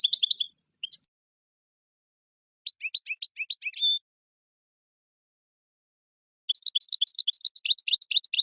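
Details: Male European goldfinch singing to stimulate a female for mating: short twittering bursts, a phrase ending in a buzzy, drawn note, then a rapid, high chattering run.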